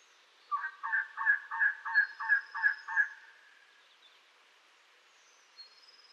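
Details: Elegant trogon (Trogon elegans) in southeastern Arizona calling: a run of about eight hoarse, croaking notes, roughly three per second, with faint high thin notes from another bird in the background.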